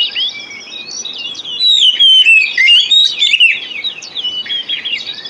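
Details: White-rumped shama song used as a lure recording to coax silent or sluggish captive shamas into singing: dense, rapid whistled phrases with sliding, twisting notes and sharp chirps, fast and continuous, no other sounds.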